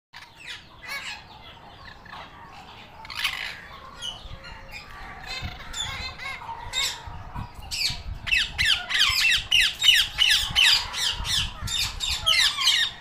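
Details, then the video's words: A green parrot gives harsh, squawking calls, sparse at first, then a rapid run of loud, raspy screeches, about three per second. "Green Parrot"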